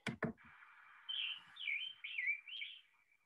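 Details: Scarlet Tanager singing in spring in Illinois: about five hoarse, burry phrases in quick succession, like a robin with a sore throat. It sings from a perch without moving. Two knocks come first, over a steady hiss.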